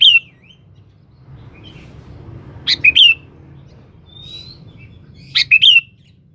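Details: Sooty-headed bulbul calling a rival, used as a lure: a few short whistled phrases, each a burst of two or three bright liquid notes, a couple of seconds apart, with faint distant chirps.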